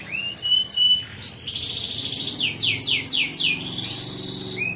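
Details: Domestic canary in continuous ngacor song. Clear whistled notes give way to a rolling, buzzy trill, followed by a run of quick downward-sweeping notes and a final short whistle.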